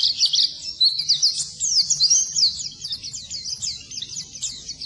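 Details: A white-eye, locally pleci, sings a high rushing twitter of sharp slurred notes, loud at first and gradually softening, presented as a lesson song for silent birds.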